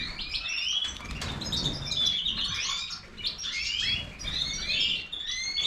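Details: Major goldfinch singing a lively stream of high twittering notes and clear whistled slides, with a brief burst of broadband rustle near the start of the second second.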